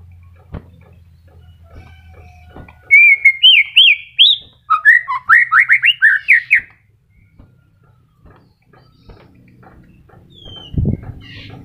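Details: Murai batu, or white-rumped shama, in early moult and still singing sweetly: after a quiet start, a burst of rising looped whistles and a quick run of slurred notes, then near-silence and a soft thud.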